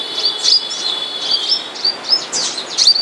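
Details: Moulting flowerpecker kept in a cage, called the seven-colour bird, uttering sharp high-pitched tsit notes spaced irregularly about every third of a second, against a soft steady hiss.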